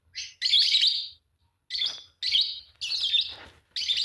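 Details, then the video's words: A pair of green Fischer's lovebirds chirping: harsh, shrill bursts in quick succession, some long and buzzy, others short, separated by brief silences. "Lovebird singing and chirping sound, green fischer pair"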